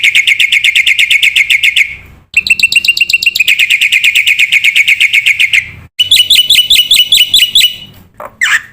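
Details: Black-winged myna singing vigorously, a masteran recording for training young cage birds: runs of rapid, harsh chirps about four per second, broken by short gaps, ending with rising, sliding notes.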